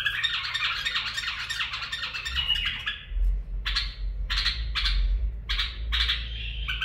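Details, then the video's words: A bulbul delivers barwaz and mfaraah song: an unbroken rich, jumbled warble for about three seconds, then short separate bursts of chirps, over a low background hum. "برواز + مفاراه من بلبل طور"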